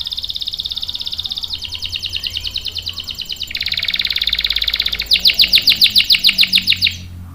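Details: Canary singing strongly, used to lure and tutor young males: four successive rapid trills, each at a different pitch and speed, the last loud and clipped, lasting about seven seconds in total.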